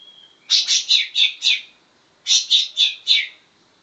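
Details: Greater green leafbird voicing imitated grey-cheeked bulbul song: two rhythmic phrases of five and four loud, buzzy chirps, each note evenly spaced, with a brief pause between phrases.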